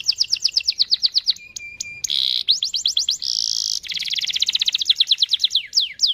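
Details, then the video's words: Long rolling canary song meant to make other canaries join in: rapid repeated whistled sweeps, level notes, loud buzzy bursts, then a long fast trill of rising and falling chirps. "Pancingan cuit cuit kenari Gacor panjang ini ampuh buat memancing kenari lain pasti ikut bunyi"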